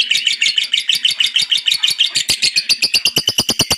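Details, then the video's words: Pet lovebird in full chattering song, used to prompt other lovebirds to sing: rapid high clipped notes, about three per second, running evenly and growing harsher and louder toward the end. "Terapi Burung Lovebird biar Cepat Gacor"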